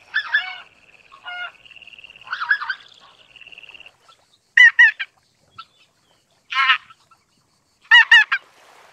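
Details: Greater white-fronted goose calls: a few harmonic honks over a steady thin whine early on, then sharp, clipped, high yelping notes in doubled and tripled bursts spaced a second or more apart.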